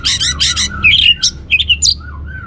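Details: Orange-headed thrush teaser song for stirring other birds to sing, opening with four quick raspy notes, then jumbled squeaky warbles and a few soft low whistles.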